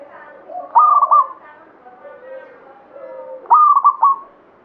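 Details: Actively singing local zebra dove of Banyumili type: a crisp rising coo with rolling trill, a stretch of softer background cooing, then a second loud trilled phrase about three seconds later.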